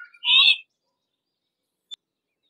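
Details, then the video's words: Harris's hawk: a single short, raspy screech with a rough, buzzy tone, then silence apart from a faint tick. "Harris's Hawk Call - Harris's Hawk Sound - Harris's Hawk Song - Harris's Hawk Scream - Screech-Voice"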